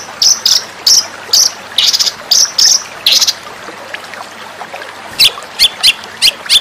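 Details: White-rumped shama song, recorded for training other birds: bright whistled notes and buzzy bursts repeated every half second, a softer stretch, then sharp high chips.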